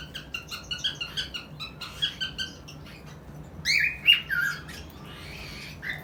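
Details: Cockatiel mating call: a quick series of harsh chirps, then louder rising whistles.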